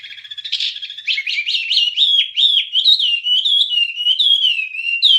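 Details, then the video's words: A wambie's song, recorded to train songbirds: a continuous chattering stream of quick rising-and-falling whistled notes, steady and loud throughout. "Ocehan Suara Burung Wambie"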